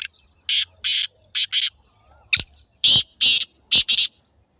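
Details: Two rasping calls from a black francolin in Pakistan: a first phrase of four harsh buzzy notes, a sharp click, then a second phrase of five grating notes with a faint low hum beneath.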